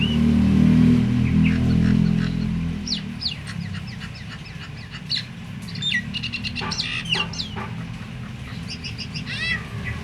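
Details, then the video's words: Myna call said to trigger other mynas, even quiet ones, to sing; a loud low hum at first, then scattered sharp downward-sweeping whistles and clicky notes grow busier toward the end. "suara jalak ini bikin semua jalak ikut GACOR"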